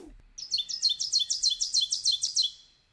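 An Ovenbird sings a rapid series of about ten two-note 'teacher' phrases, bright and high, swelling steadily louder toward the end.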